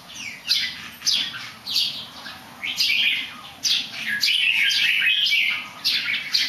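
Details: Bird singing well while doing a small somersault: bright chirped phrases repeated about every half to one second, each a quick falling or rising whistle, over a steady low hum and faint high hiss.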